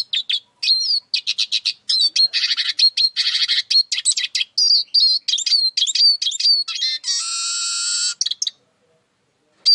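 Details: Varied siskin song mixing high whistles, fast trills and chatter, ending with a long harsh wheezy buzz, then silence.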